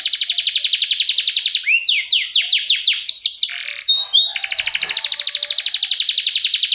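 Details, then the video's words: Canary song: a loud fast trill of evenly repeated chips, then a series of sweeping rising notes and a brief pause, before another long rapid rolling trill; no music clearly heard. "kenari gacor"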